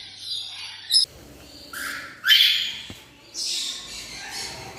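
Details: Captive black-winged lory, known also as blue-cheeked lory, in Odisha, India, uttering brief sharp squawks: a short high note, then a loud rising screech, then a softer breathy hiss near the end.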